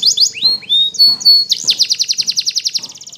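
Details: Spanish Timbrado canary morning song: a few bright rising whistles, then a sustained fast trill of repeated notes, with faint low clicks beneath.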